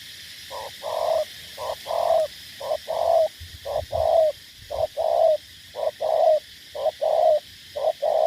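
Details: Decoy spotted dove in Cà Mau, Vietnam, cooing persistently: a long run of low two-part phrases, a short note then a fuller longer note, repeating about once a second with slight handling rumble.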